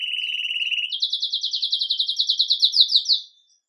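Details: Belgian canary of red mosaic agate colour singing Campainha song as its day begins, recorded live: a low steady trill jumping to a higher, loud, rhythmic pulsed trill that fades out near the end.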